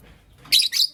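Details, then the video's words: Two loud, harsh, screechy chirps in quick succession from Creamino and Lutino Opaline lovebirds in the morning, each lasting a fraction of a second. "Lovebird Chirping Sounds"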